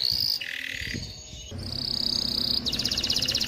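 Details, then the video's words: Male canary song meant to train young birds and stimulate mating: bright high trills and a held whistled tone over a loud hissing background, ending in a rapid pulsed trill. "تغريد طائر كناري خرافي لتعليم الفراخ على الغناء والاناث على التزاوج، Canary singing"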